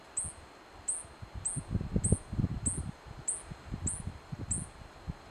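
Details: White-bellied hummingbird (Elliotomyia chionogaster) in Tucumán, Argentina gives thin, very high chips, one roughly every two-thirds of a second, eight in all, over low rustling and rumbling background noise.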